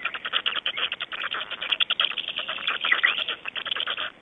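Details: Black storks in Estonia, 26 May 2012 at 05:15, clattering: a fast, dry, rattling burst of pulses lasting about four seconds, sounding muffled and tinny.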